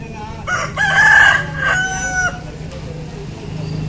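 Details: Rooster crowing once: a loud, drawn-out cock-a-doodle-doo of several connected parts, the long middle note held steady, against a steady low background hum.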